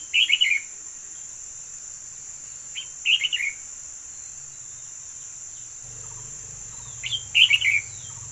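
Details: Yellow decoy bird singing: three short bursts of rapid, fluttering chirps, each lasting about half a second and arriving every two to four seconds, over a steady high-pitched electronic-like whine and low rumble.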